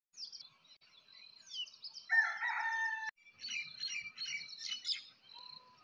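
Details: A rooster crows once at sunrise in a village morning. The crow is loud, harmonic and sustained for about a second, with sparrows twittering and chirping before and after it.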